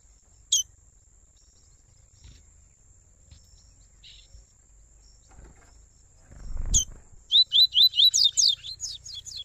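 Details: Father and son double-collared seedeaters in a warm-up (esquenta) recording: after a quiet start with one sharp note and a low rumble, a rapid train of about ten bright, high, downslurred notes rings out.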